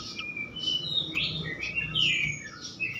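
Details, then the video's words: Flycatcher lure song meant to set off other flycatchers: soft, fairly quiet high whistled slurs, some rising and some falling, spaced loosely over a faint background hum. "Auto Konslet gacor ngeplong sikatan manapun sekali pancing ini."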